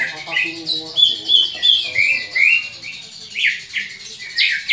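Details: Greater green leafbird giving its fighting call, used to train other leafbirds' fighting spirit: loud, fast whistled notes and slurred chirps repeated about three times a second, with a faint low murmur underneath.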